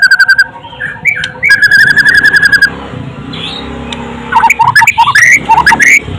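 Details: White-rumped shama, described as golden-voiced, singing clear whistled phrases: a short run of repeated high notes, a sustained whistled note series, then a burst of rapid, varied, rising and falling notes after a brief pause.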